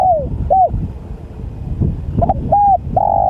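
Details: Spotted dove (tekukur) calling: soft mellow coo notes, some sliding downward, spaced through the clip over steady low rumbling traffic noise.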